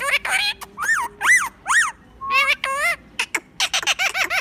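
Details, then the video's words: A rose-ringed parakeet talking: word-like sounds in a squeaky voice, with drawn-out rising and falling syllables and then a fast string of short clipped notes. A faint low hum runs underneath. "Talking parrot"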